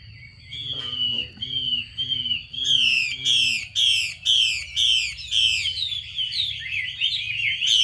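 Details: Female Chinese hwamei giving her call to excite males to sing, starting with descending whistles, then harsh loud sweeping bursts repeated at a steady pace, ending in fast warbled notes; faint hum underneath.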